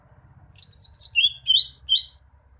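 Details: Clear, high whistled phrase from a Greater green leafbird: five slurred notes in quick succession, some rising and some falling, over a soft low rumble.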